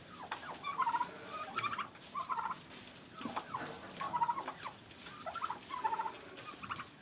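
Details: Domestic turkeys in a farm fight in Pakistan, uttering repeated fluttering gobbles in bursts about every second, interspersed with brief clicks and scuffles.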